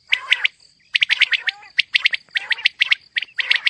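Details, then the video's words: A female common quail (batair) calls in short groups of bright, clipped chirps, three or four notes per group, with brief pauses between groups and a thin constant high tone in the background. "Female Batair Calling |Quail Sounds suba k | Mix Calling | Maad Batair Ki Awaz | Female Quail Sounds"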